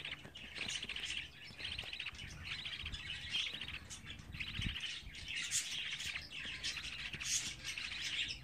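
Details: Budgerigar chicks, 24 days old, chattering in a dense, continuous stream of buzzy, rapidly pulsed chirps. Several overlapping voices rise and fall in bursts throughout, with a faint low hum underneath.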